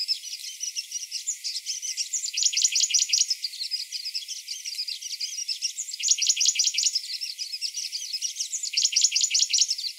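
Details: Grey-breasted prinia in morning song, high twittering interrupted about every three seconds by loud, rapid trilled bursts, the pattern repeating through the recording.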